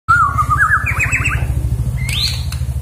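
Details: A white-rumped shama sings a clear whistled phrase, quick warbling trills, then a bright rising whistle, said to sound like "jokowi", over a steady low mechanical hum.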